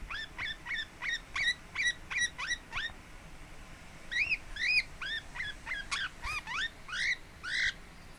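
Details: Relaxed pet Lineolated parakeet at home, 26 April 2017: a quick run of short, rising chirps, then a slower series of curved whistled notes, with a few sharper, higher chirps near the end.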